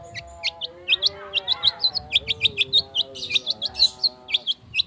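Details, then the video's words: Long-tailed shrike singing as a lure to trigger other birds: a steady series of short, bright, high chirps repeated about four to five per second, over soft sustained lower whistled tones. "Cendet Speed rapet - PANCINGAN CENDET"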